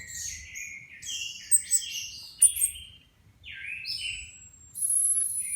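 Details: A caged orange-headed thrush, recovering after moult and being assessed alongside three others before training for competition, sings a rapid, varied run of sweet whistled phrases and sliding notes with a few thin high squeaks.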